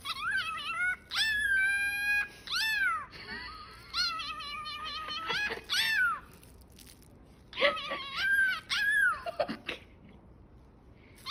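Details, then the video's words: Pet cockatiel imitating a cat: harmonic, meow-like calls that rise then fall, given in short bursts with pauses between, some drawn out and wavering, indoors with a faint background hiss. "Cockatiel Cat"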